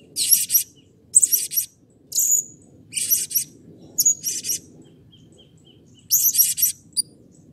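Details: Blue-crowned hanging parrot, excited and calling actively, gives shrill, very high, buzzy chirps in short bursts of two or three notes, about seven bursts in eight seconds, over a faint low hum.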